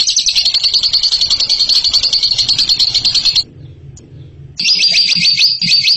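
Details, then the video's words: Bird voicing a ngekek song, shown as a champion: a fast, high rattling trill for over three seconds, a second-long pause with faint low background noise, then the trill resumes. "INI DIA JAGONYA NGEKEK"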